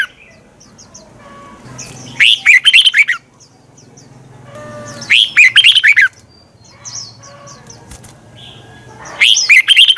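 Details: Red-whiskered bulbul morning song in the twisting-voice style, a decoy recording to goad other birds into singing. Three loud bursts of rapid, twisting whistled notes, each about a second long, come roughly every three seconds, with faint chirps between.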